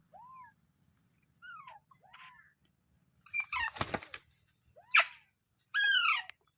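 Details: Parrot uttering soft arched whistles and falling squawks, a burst of scratchy flapping noise, then a louder harsh harmonic screech at the end.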